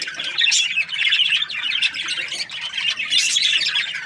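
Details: Budgerigar chirping happily in two lively bursts of bright, grating chatter and squeaks, with a softer stretch in between.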